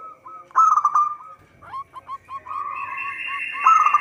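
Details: Lure song of a local zebra dove for trapping: a loud burred coo, then scattered short hooked notes and a longer even coo, with a faint higher steady tone behind.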